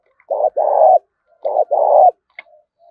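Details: Spotted dove call used as a lure for wild birds in open fields: two low, hollow coo phrases, each a short note followed by a longer held note, then a faint tick.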